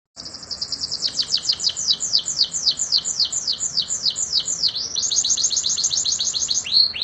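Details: Canary singing vigorously in the rolling "roll tembak" style, used as a master recording to train other birds: a long train of high, quick downslurred notes repeating about four times a second, shifting near the end into a faster, tighter trill.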